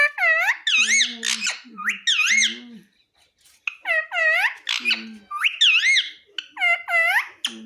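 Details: Pahadi parrot, a pet, imitating human words "mummy papa" in loud, harmonic, rising and falling syllables, repeated in bursts with a short pause near the middle; low voiced tones underneath.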